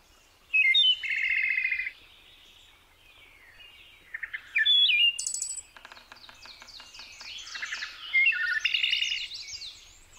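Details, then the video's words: Wood Thrush (Hylocichla mustelina) sings three flute-like phrases of clear, liquid notes, each ending in a high, shimmering trill, with short pauses between them. "Wood Thrush: Forest Flutist"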